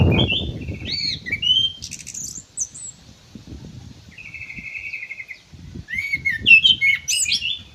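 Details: Ground thrush kept in an aviary, singing actively: varied clear whistled phrases, rising and falling, with a steady buzzy trill in the middle and bright twittering notes at the end. A soft thump opens the recording.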